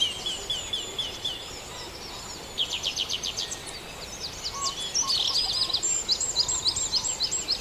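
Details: Many birds join the dawn chorus at Farndale: rapid ticking rattles, busy overlapping high chirps and whistles, and a few lower notes, growing fuller and louder in the second half.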